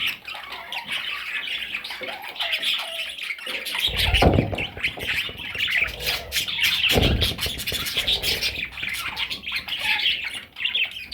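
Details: Parrot chicks calling in a dense, continuous high chatter of squawks and chirps, broken by two heavy low thumps around the fourth and seventh seconds, likely from handling or movement nearby.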